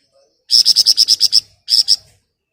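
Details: Flamboyan bird giving ngebren rapat nyerecet song, loud and dense: nine rapid, harsh, high-pitched buzzy notes in an even rattle, a short gap, then three more.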